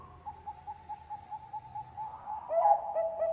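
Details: Zebra dove of the bangkok type singing as a lure: a steady run of soft rounded coos, then a louder close bird joins with quick bubbling notes repeated about three times a second.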